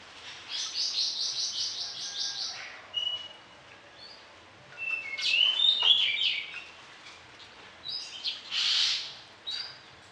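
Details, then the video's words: Orange-headed thrush singing vigorously with varied fill-in phrases, used as a tutor for other birds in morning and evening: a fast run of buzzy repeated notes, then scattered whistles and harsh bursts over a hissy background. "ANIS KEMBANG GACOR DOOOR, VARIASI ISIAN, COCOK UNTUK MASTERAN DI PAGI HARI DAN SORE"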